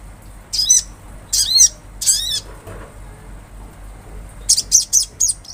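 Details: Olive-backed sunbird singing strongly outdoors: three high, arched, slurred phrases each falling in a sweeping curve, a short gap, then a quick series of sharp, very high chips over a steady background hum.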